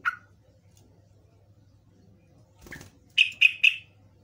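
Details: Trucukan (yellow-vented bulbul) lure call meant to draw answering birds: a lone chirp, a short rustle, then three quick bright notes in a tight run, with a steady low hum behind.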